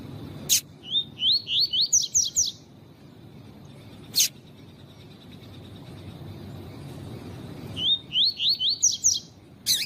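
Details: Double-collared seedeater (coleiro tui tui) song played to warm up and train captive males, presented with female calls. It gives quick bursts of high, rising slurred notes in two phrases several seconds apart, with sharp single chips in between.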